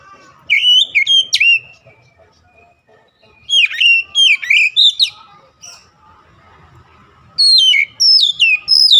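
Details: Kacer, or Oriental magpie-robin, song used to excite other kacer: three bursts of loud varied whistles and slurred chirps separated by quiet gaps, with a faint murmur in between.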